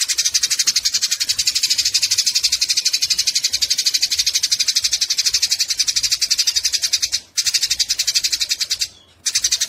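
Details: Fighting Eurasian tree sparrows, tutor sound for songbirds, chatter nonstop in harsh rapid chips, with two short breaks near the end.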